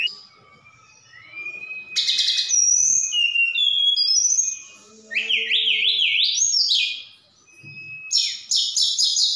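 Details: Javan bush lark from Sukabumi whose song mixes in cililin and sikatan londo imitations: a long level whistle, then high thin notes, a fast zigzag warble, and a final burst of rapid rattling trills.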